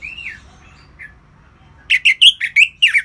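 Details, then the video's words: Orange-headed thrush song, ngeplong style. A falling whistle and a short note come first, then after a pause six or seven loud, chunky, buzzy notes follow in quick succession. "ANIS MERAH Ngeplong Lemas"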